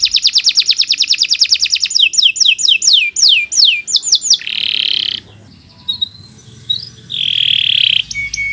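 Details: Kenari canary singing, used as a master recording for training; fast high rolled trill slowing into downward-swooping whistles, then a harsh buzzy note, a quieter pause, and a second buzz.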